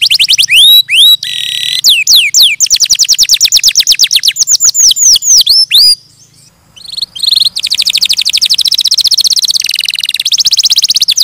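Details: Singing canary delivering loud rolling trills and clusters of descending swept whistles, a short silent gap midway, then more dense buzzy trills at varying pitch.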